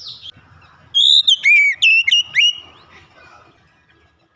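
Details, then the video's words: Singing Oriental magpie-robin with beak opened wide: one loud phrase of about six sharp whistled notes swooping up and down, lasting about a second and a half, then quiet background hum. "Kacer langsung gacor ngeplong buka paruh dengan lebar"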